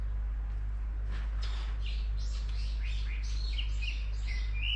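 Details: After a second of hum, a bird breaks into a jumble of quick chirps and short whistled slides, growing clearer and higher toward the end, over steady low background noise.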